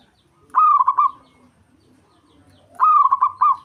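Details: Javanese local zebra dove singing to provoke a rival bird: two rolling, trilled coo phrases, each starting with a sharp rise and breaking into rapid pulsed notes, about two seconds apart.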